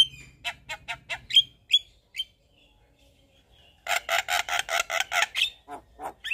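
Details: Javan myna with white eyes in lively full-fill song while nodding: a few harsh chattering notes and whistled upslurs, a near-silent gap, then a loud run of about ten grating squawks.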